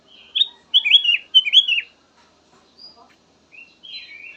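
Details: Black-naped oriole giving a soothing run of song: several sharp whistled notes with quick downward twists in a tight group, then quieter, softer trailing whistles after a short gap.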